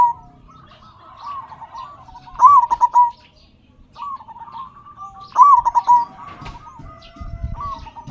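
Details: Vigorous local zebra dove with a big voice, used as a lure to make other zebra doves sing: two bursts of rapid, rolling, staccato cooing about three seconds apart, with quieter drawn-out coos between them.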